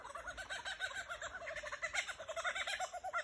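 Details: Lyrebirds singing in Dandenong, Australia: a fast, steady run of short arched notes, rolling and chattering without a break for over three seconds.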